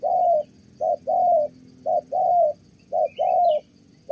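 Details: Spotted dove in Kon Tum, Vietnam, a trapping decoy with a good voice, cooing Thổ style: mellow short-then-long hooting pairs about one per second, faint high chirps in the background.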